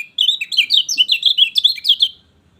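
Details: Lemon-bellied white-eye singing, played to stimulate a silent bird into song: a continuous two-second run of rapid, high, twittering notes that rise and fall in quick succession on a clean background.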